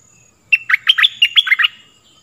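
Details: One full phrase of stripe-throated bulbul song, a recording for teaching young birds and luring wild birds: about eight crisp, bubbly notes in just over a second, alternating high and low.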